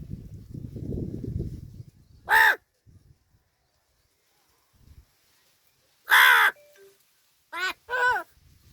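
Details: A talking crow in Palghar, called while being offered food, gives harsh, hoarse, caw-like calls, first single, then a loud one, then a quick pair, after a low background murmur.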